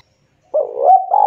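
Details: Spotted dove calling its companions: one loud, low, hollow coo that swells and rises slightly in a smooth drawn-out phrase, with a clean, quiet background.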